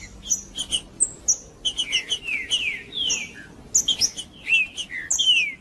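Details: Green-winged saltator (trinca-ferro) singing in the 'macheando' style to warm up other birds: bright, descending slurred whistles in short phrases, with high sharp chips and clicks between them. Background is quiet.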